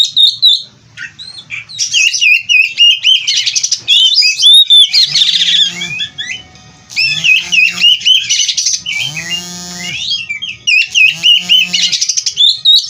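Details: Captive-bred oriental magpie-robin of Cirebon race in continuous full song packed with varied phrases: rapid high whistles, sweeps, trills and chattering notes, with brief lower nasal squawk-like notes near the middle and end.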